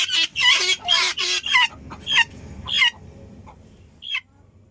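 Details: Helmeted guineafowl giving a quick run of harsh, rasping calls, then a few scattered, fainter squeaky notes as the calling trails off into quiet background noise.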